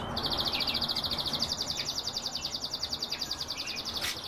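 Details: Kept canary song: one long, high, very fast rolling trill of evenly repeated pulses, about three or four notes a second audible as a rattle, sustained almost throughout, with soft hum underneath.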